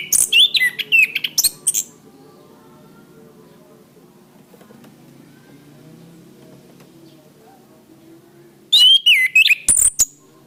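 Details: Cage-bird training recording of an orange-headed thrush: a fast phrase of looping whistles and high clicks, about seven seconds of near silence with faint hum, then a second rapid phrase of similar whistled notes.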